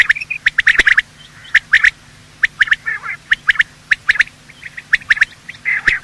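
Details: Morning calls of male and female quail, played to lure quail for hunting: short, squawky mid-pitched notes in loose bursts, broken by sharp dry clicks and brief quiet gaps.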